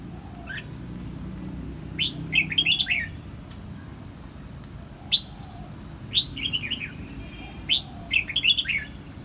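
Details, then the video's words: Red-whiskered bulbul singing in Quang Nam, Vietnam: short liquid whistled phrases of quick rising and falling notes, given in bursts about every two to three seconds over a low steady background hum. "Vietnam bird is singing!越南广南戴帽鸟之歌"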